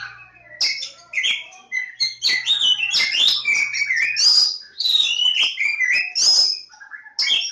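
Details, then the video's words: An Oriental magpie-robin of the Javan form (Kacer Jawa) sings energetically, stringing together high whistles, chattering notes and harsh scratchy elements in a fast, varied sequence, with a faint low drone in the first half. "Kacer Jawa"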